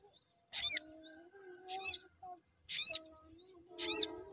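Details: Four sharp, high chirps come from a crimson sunbird in a recording meant to spur other sunbirds into singing more. The calls are spaced about a second apart, with a faint low hum underneath.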